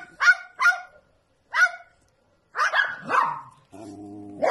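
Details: Dog-like barking from a bird: three crisp yaps, then a longer, rougher double bark, followed by a low humming tone and a final bark.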